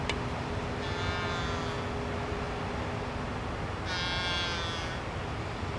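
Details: A Laysan albatross at Kaena Point, Oahu, Hawaii, between December and March, gives two drawn-out, nasal, bleating calls about three seconds apart, over a steady rush of wind or surf and a low hum.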